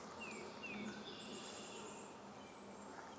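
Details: Another White-breasted Nuthatch calling from behind the observer in Sapsucker Woods, Ithaca, New York, late afternoon on 16 April 2022 in early spring. Two quick, faint downslurred notes open the recording, with soft high insect-like buzzing and steady background hiss.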